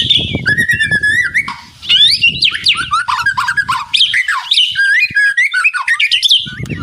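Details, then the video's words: White-rumped shama singing a rattling, answering song: dense tumbling whistles and harsh chatters, over low rumbling background noise at the start and end. "Suara Murai Batu Ngeretek"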